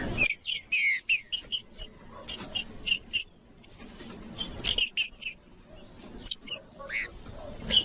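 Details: Green-winged saltator song meant to stimulate a cold, non-singing bird: bursts of short whistled and chirped notes separated by pauses, with a constant high tone and faint background hiss.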